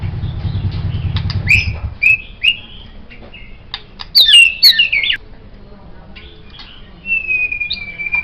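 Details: White-rumped shama, recorded as a songbird master, sings scattered whistled phrases, a sudden loud tumbling burst of bright notes, then one long, sustained level whistle; low rumble at first.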